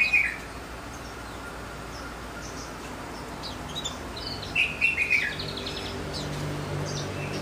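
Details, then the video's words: A goldfinch mule delivers a loud ringing chirp, then soft scattered twitters, followed by a second cluster of three or four bright, metallic notes over low steady hum. "Goldfinch mule"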